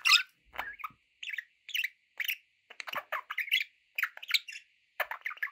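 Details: Pet budgerigars chattering almost nonstop, warbling chirps and squawky notes tumbling over one another above a faint steady hum.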